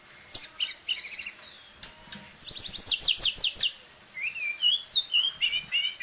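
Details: A tame Hill blue flycatcher with a rich, varied repertoire sings a high, sweet song: clear whistles, quick chattering trills and rising slurred notes, changing phrase to phrase.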